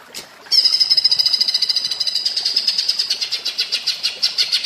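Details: Cucak ijo song in the platuk bawang manner, kept as a training recording for songbirds: after a brief quiet start, a high, rapid rattle of sharp repeated notes runs on, growing slightly more spaced toward the end.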